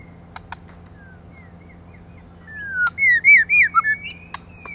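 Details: Female white-rumped shama singing, used as a lure to stimulate males: a short break of sharp clicks, then a fast run of loud, looping whistled notes rising and falling, ending in a long thin whistle.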